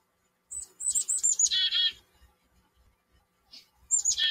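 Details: Backyard chickadees giving a quick string of high, sharp introductory chips followed by a burst of rough buzzy 'dee' notes, then a pause and another high chip and buzzy note starting again.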